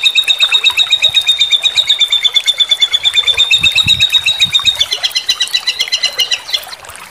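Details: White-rumped shama training recording of "shot" phrases for competition songbirds: one long, unbroken high trill of rapid, buzzy pulses at a nearly steady pitch, shifting slightly before fading after about six seconds.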